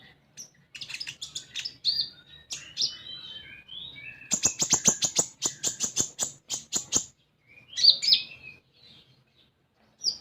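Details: Common iora in energetic song, played to coax a young bird into singing. Mixed chirps and whistles lead into a run of sharp, dry clicking ticks repeated rapidly for about three seconds, then bright scattered chirps.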